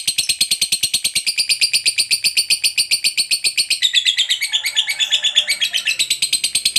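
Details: Lovebird in long chatter, calling to companions: a continuous run of rapid, harsh, buzzy notes repeated about eight times a second, shifting slightly in tone midway and sustained throughout, with no other clear sounds.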